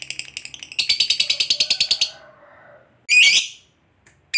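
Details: Lovebird giving a long chatter, ngekek panjang, calling to companions: a rapid train of about a dozen harsh, buzzy notes over one second, then quieter clicks and a short shrill squawk near the end.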